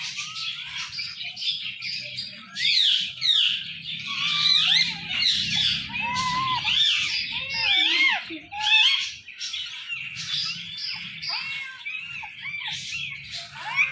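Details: Talkative Indian ringneck parrot mixing chattering chirps with warbled, speech-like phrases of rising and falling tones, some short words heard nearby, continuing without a break.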